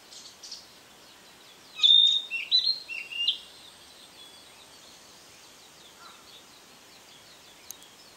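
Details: Narcissus flycatcher (Ficedula narcissina), partly hidden by leaves, gives one brief burst of clear, high whistled notes lasting about a second and a half, over faint background chirping and soft outdoor hiss.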